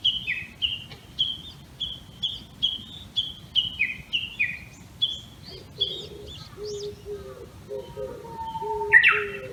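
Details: Japanese bush warbler, a yearly visitor in a bamboo thicket in the Tama area of Tokyo, at early morning, 26 May 2019, gives its valley-crossing call: fast high two-toned notes, about two a second, swinging down and up; low cooing joins near the end.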